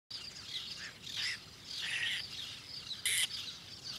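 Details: Whiskered tern at its nest in Doñana National Park, Seville, Spain, in August, passing frog prey to a chick, gives harsh, rasping calls in short bursts with a brief sharp higher note near the end over faint outdoor background.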